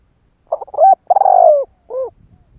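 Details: A lure spotted dove cooing to provoke wild doves. The phrase opens with stuttering short notes and a rising note, then a long, tremulous, falling coo, and ends with a separate soft, short coo.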